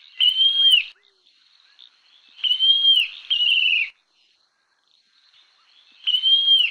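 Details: Whistled song of the montane nightjar: single and doubled bright notes, each slurring down at its close, separated by pauses of one to two seconds and faint background murmur.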